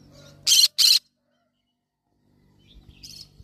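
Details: Yellow-sided conure parrot uttering a rapid pair of loud, grating squawks, followed by a quieter, thinner chirp a couple of seconds later over a soft low background hum.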